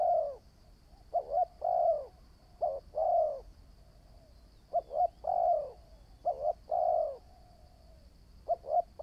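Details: New decoy spotted dove being trained, calling a series of three-part coo phrases, two brief notes then a fuller drawn coo, spaced by short pauses, with a faint constant hum behind.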